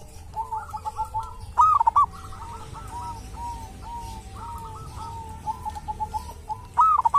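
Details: Wild local zebra dove at a sacred tomb, said to have its own distinctive voice: two loud cooing phrases, each a rising note followed by quick bubbling notes, while fainter similar cooing from other doves runs underneath.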